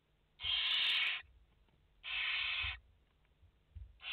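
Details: Barn owl chicks, five in a nest on a live camera feed, 29 August 2021: two long, drawn-out breathy screeches of nearly a second each, about a second apart, with a third beginning at the end.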